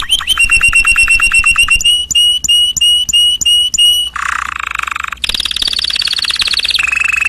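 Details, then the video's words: Canary song in several tours: first rapid clipped chirps, then slower spaced descending whistles, then a dense buzzy roll, and finally a fast, high, rattling trill that drops to a lower warble. "تغريد رائع لطيور الكناري"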